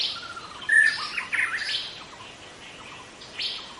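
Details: Forest-dwelling young white-rumped shama, wild, giving a brief burst of loud piercing whistles and chips that fades into softer notes, then a final sharp chip.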